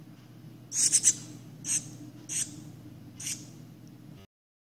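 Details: Hand-reared shiny cowbird chick, infested with 27 Philornis larvae: four bursts of thin, high-pitched squeaky chirps, the first a rapid triple, later ones single or double and fading, against a constant low hum.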